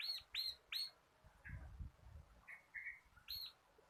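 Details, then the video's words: Local crystal kapas bar-winged prinia, caged and used to train cage birds, sings three loud arched high notes, then short lower chirps and low thumps, ending with one more arched note. "BURUNG MASTERAN CIBLEK KRISTAL GACOR / CIBLEK LOKAL KAPAS SUARA NGEBREN"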